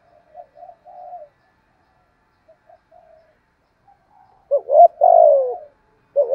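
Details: Spotted dove cooing in the 'thổ thúc gù' style to provoke newly caught doves. Several seconds of faint, soft murmured notes, then one loud phrase with a long falling coo and the start of another coo at the end.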